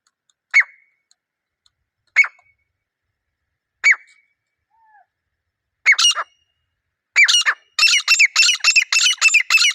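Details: Grey francolin, one of a wild pair recorded in the field: three spaced, sharp single notes, then doubled harsh notes building into a rapid, continuous rasping series of repeated phrases at the end.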